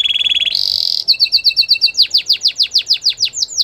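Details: Belgian singing canary singing to attract canaries: a fast trill rising into a higher buzzy roll, then a clipped stuttering run, ending in repeated loud downward sweeping whistles.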